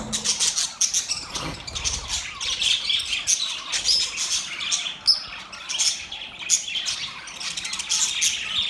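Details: Several budgerigars making mating sounds, chirping together in a dense, continuous stream of high, scratchy warbles and squeaky tweets with brief louder chirps, no pauses throughout.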